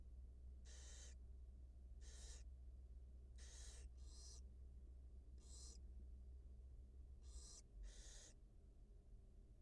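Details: Nest cam footage of a wild barn owl mother feeding two newly hatched nestlings: a series of seven or so short, grating hisses, some in close pairs, spaced irregularly over low mechanical hum.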